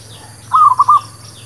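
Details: Zebra dove song for trapping and for new birds: one short, stuttering coo phrase of four notes within half a second, against a quiet background with a faint hum.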